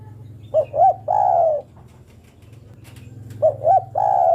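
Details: Female spotted dove calling the male: two three-part phrases, each with two short rising coos followed by one long, slightly falling coo, about three seconds apart, over a steady low hum.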